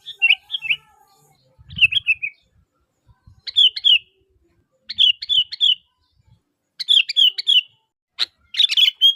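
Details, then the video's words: Sooty-headed bulbul in full voice, calling so other bulbuls will respond: about seven rapid, bubbly phrases of warbled chirps follow one another every second or so, with faint low thumps and rustles early on. "Suara Asli Kutilang Gacor Memanggil, Kutilang Pasti Nyaut"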